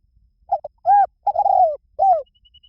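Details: Spotted dove cooing: a short double note, then two long mellow coos and a final falling one. Low, soft, hollow tones with clean pauses and a quiet background.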